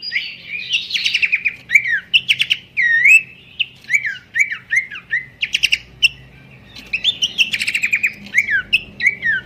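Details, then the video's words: Pelanduk semak babbler singing its melodious master song for bird training: varied sweet whistles, downslurred and upslurred notes repeated in quick bursts with short pauses, plus scattered dry chirps. "goyangan merdu khas burung pelanduk semak sang guru mastaren"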